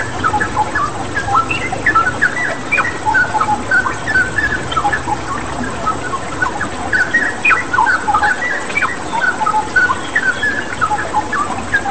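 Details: Straw-headed bulbul (cucak rawa) in a long, dense outpouring of song: rapid chattering, whistled and warbled notes tumbling over one another, set against steady running water and a faint high hum.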